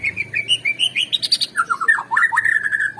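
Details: Singing white-rumped shama, recorded as a lure to make birds sing. Clear whistled notes climb steadily higher in a quick series, then drop into rapid, dipping, slurred chatter with no pause.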